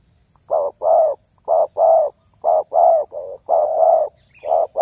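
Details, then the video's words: Spotted dove calling to lure other doves: evenly spaced pairs of husky coos, a short note followed by a fuller one, repeated in a regular cadence after a quiet start. "SUARA TERKUKUR INI SANGAT ISTIMEWA"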